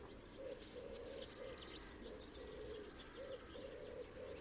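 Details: European Serin song: a single rapid, high-pitched sizzling twitter of about one second, dense with fast jingling notes, over a faint low pulsing hum.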